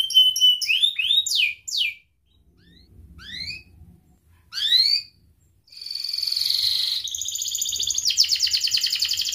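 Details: Canary song used as a lure for young learning and lazy canaries: sweeping notes, pauses with scattered short falling notes, then a sustained buzzy roll turning into a fast pulsed trill.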